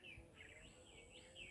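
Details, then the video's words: Birds at Hac Sa, Macau, short bright chirps and rising twittering notes in quick succession over steady low background hiss. "sounds of bird Hacsa Macau"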